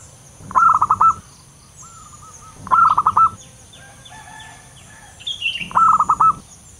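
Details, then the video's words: Lure call of a local wild Zebra dove, used for trapping: three soft, stuttering coos, each a quick run of five or six bubbly notes, about two seconds apart, with faint high chirps from other birds between. "Suara pikat perkutut lokal alam liar"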